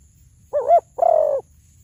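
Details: Spotted dove, a recording used to lure birds: a two-part mellow coo with a quick wavering start, followed at once by a longer, slightly pulsing hoarse coo, over a faint low rumble.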